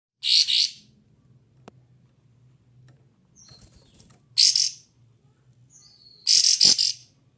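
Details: Kapas tembak white-eye, agitated and calling loudly in search of a rival, spreading its tail. It gives three short bursts of very high, sharp twittering chirps separated by quiet gaps with faint clicks and a low hum.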